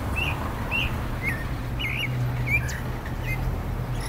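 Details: Clay-colored thrush (Turdus grayi, yigüirro), Costa Rica's national bird, calling: short, slurred chirps near two to three kilohertz, about twice a second, over a steady low rumble of background noise.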